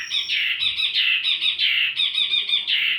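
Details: Wambi mini song, recorded as lure and tutor audio for kept songbirds: a steady run of bright, squeaky chattering notes, tightly repeated about three times a second with little pause.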